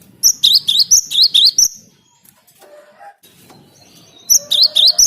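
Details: Cinereous tit, song used to lure birds: a burst of rapid, shrill two-part notes, a pause with faint low tones, then a second similar burst starting.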